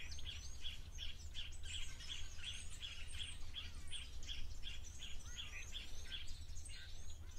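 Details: Long-billed crombec at Cateye Pan, Naledi Lodge, Olifants West, Greater Kruger, South Africa, caught on a waterhole camera, giving short, buzzy high notes about twice a second; thin chirps from other birds above a steady low rumble.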